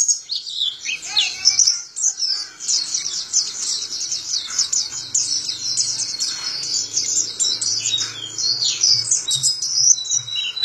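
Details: Zosterops white-eye singing open-beaked in captivity in Indonesia: a rapid rolling stream of high, twittering chirps packed closely together, with occasional lower slides and a soft low hum in the background.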